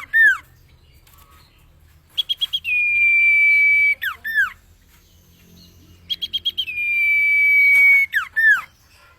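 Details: Common iora song for training cage birds: loud descending slurred notes, then a burst of staccato chips leading into a long level whistle, the pattern repeating about every four seconds.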